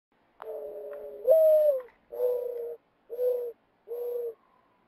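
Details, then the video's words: Common ground dove, a wild bird perched in a tree, singing gentle coos made by expanding its chest and expelling air through the nostrils: five soft, low, hollow coo notes, each about half a second long, repeated nearly every second in a quiet setting. "Common Ground Dove Song"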